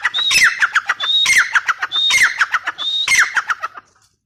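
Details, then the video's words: Four harsh, patterned phrases from a female grey francolin (teetar), each starting with a thin high whistle and breaking into quick falling squawks, spaced about a second apart before fading to quiet. "female teetar awaz"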